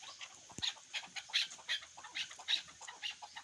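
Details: Hunting chukar partridge calling: short, harsh, clucking bursts repeated several times a second in an uneven, chattering series, over a steady background hiss.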